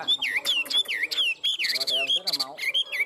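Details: Caged Chinese hwamei, one of a tame pair, giving fighting song: loud, clear whistled notes swooping down and up in quick succession, with a few harsher chattering accents among the phrases.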